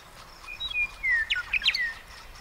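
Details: Western meadowlark singing: a flute-like phrase of clear whistled notes sliding downward, followed by a quick jumble of bright gurgling warbles ending in a falling whistle, over faint background hiss.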